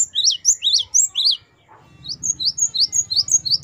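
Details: Gelatik batu, the great tit, singing wucit variasi for masteran training of captive birds: rising, slurred high notes repeated quickly, a short pause, then faster thin paired notes over a steady low hum.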